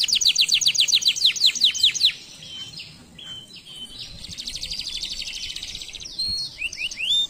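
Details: Canary song opening with a rapid series of falling swept notes, then scattered short whistles, a long buzzy trill, and a few upward-slurred chirps at the end.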